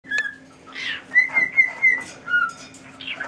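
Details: Pet cockatiel whistling the tune "Tequila": clear, level whistled notes in a short phrase, with a faint steady hum and some breathy background noise.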